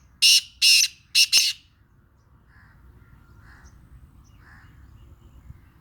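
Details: Black francolin of the Sindhi type, described as having a heavy voice. Four loud, harsh, grating bursts come in quick succession: two separate notes, then a closely linked pair. Faint softer notes and quiet background follow.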